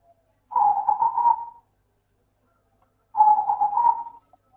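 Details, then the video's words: Two steady, purring coo phrases from a local zebra dove (perkutut), each about a second long with quick pulsing notes and a silent gap between, meant to prompt silent doves to sing. "Suara burung Perkutut Lokal - PINTAR PANCING PERKUTUT MALAS BUNYI"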